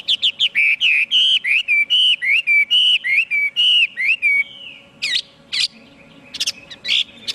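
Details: Chinese hwamei delivering a rapid series of clear whistled notes, nearly two per second, each slurring up or down, then a long descending whistle followed by sparse sharp chips; faint low hum in the background.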